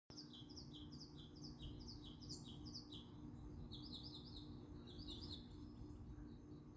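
A bird sings quick, high, bright chirps in rapid run-on phrases over a steady low hum and background rumble.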